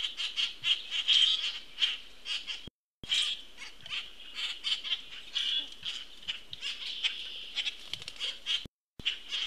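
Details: A young Common Grackle, fed by an attentive parent on 22 June 2018, gives dense, rapid, rasping squawks almost without pause, broken by two brief silences, over a steady high background tone.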